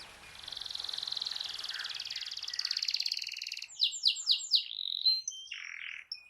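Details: Canary song from a master recording meant to stimulate a silent canary to sing: a long buzzy trill held for about three and a half seconds, then quick descending sweeps and short whistled notes.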